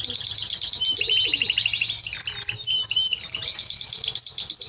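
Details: Timbrado Español canary delivering loud, continuous song of fast repeated chirp rolls and shrill whistled notes, shifting between higher and slightly lower trills with barely any pause.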